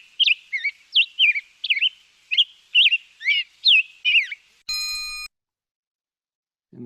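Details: Black-headed Grosbeak song from the Lake Tahoe area: about ten quick, rich, warbled phrases rising and falling, robin-like but sweeter and faster, ending with a brief electronic tone and a low thump.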